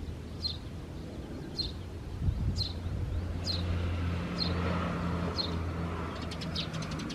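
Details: Recently fledged Eurasian tree sparrow chick met on a birding walk, May 4, 2024: thin, high chirps dropping in pitch, about one a second, six in all, over a steady low rumble, with a brief burst of clicks near the end.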